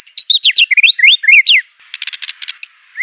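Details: Fierce song of a white-rumped shama containing canary, cililin, cungkok and ciblek material; a fast string of sweeping whistled notes is followed by a dry, stuttering rattle and a final rising whistle.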